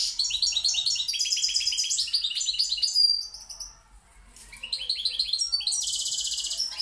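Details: Balkan European goldfinch from Pirot in rapid song: bright high twitters and trills, sliding whistled notes, a brief pause near four seconds, then a buzzy rattling trill.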